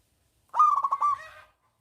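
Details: A single loud, bubbling coo phrase from a big-voiced local zebra dove, sung to lure reluctant doves: several quick pulses run into a drawn-out tail.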